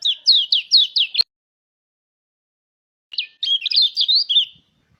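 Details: Lure song of a mountain white-eye meant to prompt other white-eyes to sing: a rapid burst of five sharp down-slurred notes, a pause of about two seconds, then a jumbled twittering phrase.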